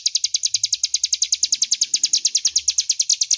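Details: Clear, loud crescent-chested warbler ngebren song used for magpie-robin mastering, a continuous quick rattle of sharp high ticks near three per second throughout, with faint muffled low sounds behind.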